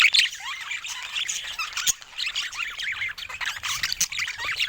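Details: Flock of pet budgerigars producing continuous chatter: warbled, scratchy high notes and squeaks overlapping, punctuated by a few sharp clicks, the busy sound never breaking.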